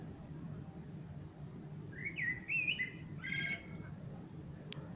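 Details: Common blackbird song: a short fluted, warbling phrase of a few whistled notes, ending in a brief high scratchy twitter, then a faint high squeak, against a quiet low hum.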